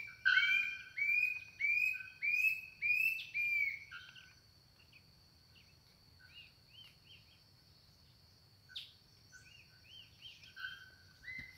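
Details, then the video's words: Gray-hooded Attila song, a loud series of rising, slurred whistles and then softer phrases, which a bellbird answers with a single sharp, metallic note, over a steady high insect whine. "CANTO DO CAPITÃO DE SAÍRA ou TIGUÁ- AÇÚ e como sempre a ARAPONGA COMPLETA A CANÇÃO"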